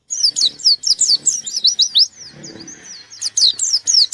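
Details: White-eye in full voice, looking for a rival: loud, quick chattering high chirps, a brief thin twittering lull, then renewed sharp rapid notes.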